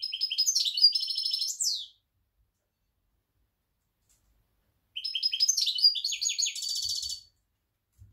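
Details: European goldfinch singing in October, two bursts of rapid tinkling, twittering song about two seconds each, separated by silence.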